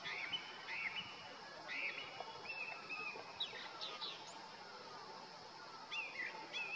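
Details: Melodious territorial song of a male Grey-winged Blackbird perched on deodar in the Uttarakhand Himalaya, summer: short whistled phrases separated by pauses, with sharp upward slurs, against a faint backdrop of lower repeated calls in the valley.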